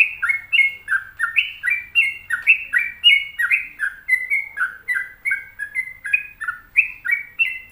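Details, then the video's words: Gacor singing from a sooty-headed bulbul: a rapid, unbroken run of bright whistled notes alternating between higher and lower slurs, several phrases per second with no pauses, over a quiet background. "Pokoknya Cari Trucuk yang Gacor"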